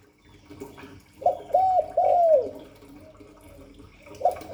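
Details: Cooing spotted dove, 'Hạp Bổi' voice: a phrase of a short note, an arched coo and a long falling coo, then quieter murmuring and the start of another phrase.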